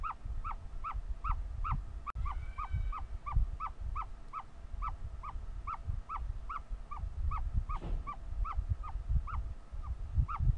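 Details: A hatching ostrich chick calling over and over as it works out of the egg, giving bright down-slurred peeps at a brisk even rate, nearly three each second, with a single sharp click and a deep background hum.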